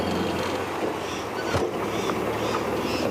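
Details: Steady low vehicle engine rumble with broad road noise and a brief thump midway, no animal calls heard.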